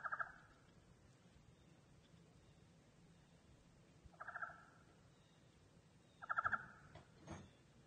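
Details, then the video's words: Common raven kept by a person, begging for food after a winter storm left a foot of snow; three harsh, nasal, harmonically rich calls spaced a few seconds apart, followed by a couple of dull thumps. "the raven, singing for food after #WinterStormQuinn"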